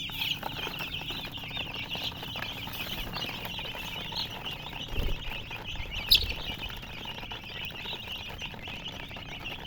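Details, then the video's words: Chicks chirp in a steady high chorus, with a couple of dull knocks and one sharp louder peep near the middle. "silly chicken chirping sounds with murgi hen color chicken"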